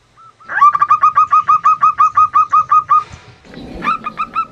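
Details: Local female zebra dove call used to lure males that rarely sing or wild birds: a fast, steady string of around fifteen short staccato notes, then a noisy break and a few more notes.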